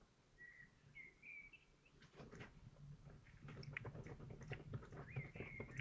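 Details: Nesting common kestrel during egg laying, Théding, France, 14 May 2023: brief thin whining calls at the start and again at the end, separated by loud scratching and shuffling in the nest.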